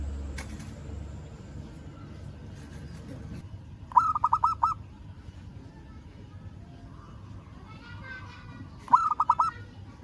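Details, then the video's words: Local zebra dove calling a rival: two short, fast rolling phrases of cooing notes about five seconds apart, with faint background noise and a low hum. "Perkutut Lokal Suara Memanggil Lawan"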